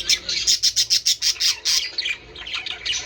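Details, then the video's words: Budgerigars calling to encourage breeding: a fast run of sharp, evenly pulsed chirps, about three per second, then a softer warbling chatter, with overlapping squawky notes. "من أجل تحفيز طيور البادجي على التزاوج"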